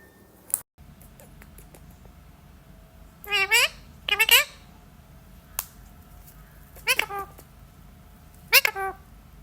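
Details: Pet talking parrot indoors giving a few short, harsh, harmonic yelps spaced seconds apart after being asked to make a dog's sound, with a person's voice and quiet room hum between calls.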